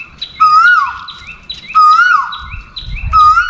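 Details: Male-seeking Asian koel call for a mate: three loud, upward-swooping whistles, each sliding down at the end, spaced about 1.4 seconds apart, with a smaller bird's quick chirps in the background.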